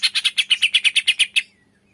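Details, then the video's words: Green leafbird 'tembakan' burst, played to stir quiet birds to sing: a quick run of about twelve bright, clipped chattering notes lasting just over a second, then silence with a faint trailing whistle. "tembakan cucak ijo males bunyi setelah dengar in 💯 auto emosi"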